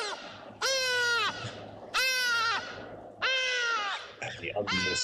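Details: Hadeda ibis (Bostrychia hagedash) at an African waterhole on 19 August 2025, with lapwings and hippo nearby. It gives three loud, harsh, nasal 'haaa' calls about every 1.5 seconds, each dropping at the end, with faint chatter behind.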